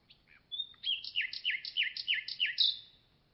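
A common nightingale sings a brief opening whistle, then a rapid series of six sharp, slurred notes about three per second, high-pitched and clear over quiet background.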